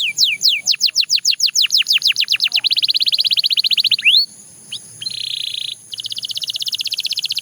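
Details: A Belgian canary sings quick falling whistles that run into a fast buzzy trill. After a short break comes a flat rolling tour and then another rapid trill.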